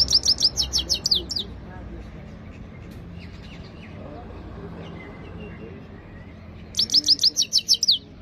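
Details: Himalayan goldfinch singing a clean-voiced training song: two bursts of bright, high, rapid chirping notes repeated quickly, at the start and end, separated by a quiet stretch with low background hum.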